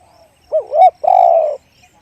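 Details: A spotted dove delivers one one-kuk big-voice phrase: two short hollow hoots, then a drawn-out, deep, steady coo, with a faint soft coo before it and a calm, quiet background.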